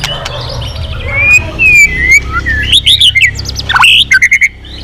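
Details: White-rumped shama song with long gliding whistles, then fast, bright twisting phrases and a quick burst of repeated high notes before a final rising whistle.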